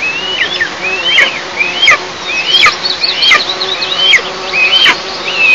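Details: Whistled calls at an Eastern imperial eagle nest in an oil-producing district, 11 July 2024, 09:14; rapid series of high rising-then-falling squeals, about eight in five seconds, some overlapping, over a low hiss.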